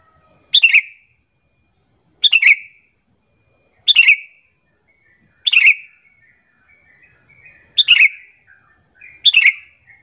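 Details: Sooty-headed bulbul lure call for drawing answering bulbuls: six clipped, bright chirping bursts, each a quick tumble of notes, spaced about one and a half to two seconds apart in a quiet background.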